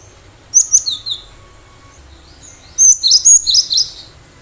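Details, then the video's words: Wild cinereous tit singing briskly, kept for luring other birds: two groups of high, clipped notes separated by a pause, the first four notes, the second a faster run of about six. "Gelatik batu gacor suara asli liaran"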